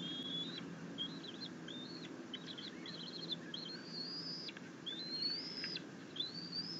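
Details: Young bald eagle at its nest being fed fish by its mother, giving happy chittering: strings of high, thin whistles, some quick and broken into short notes, others long and gently rising, over a constant low background rumble.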